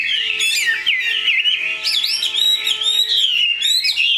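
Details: Caged Chinese hwamei, pure-bred and big-bodied, delivering a loud continuous stream of fluty whistles with sharp high accents and wavering trills, over a faint steady hum.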